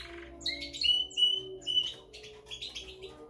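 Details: Spanish Timbrado canary singing in the classic style: bright metallic notes and short trills, some held briefly, others clipped and repeated in quick runs, with a faint low hum underneath.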